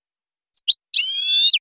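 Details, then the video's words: Silvestrismo goldfinch recording: two brief high chirps followed by a long, nasal, buzzy drawn-out note lasting over half a second, ending with a slight downward slur. Clean background. "SILVESTRISMO. CD DE JILGUERO Nº 1"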